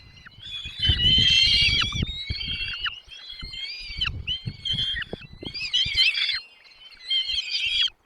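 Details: Chicks in a nest begging as the parents feed them, a loud harsh chorus of high cheeps and sliding notes, with low rustling, a quiet gap near six seconds.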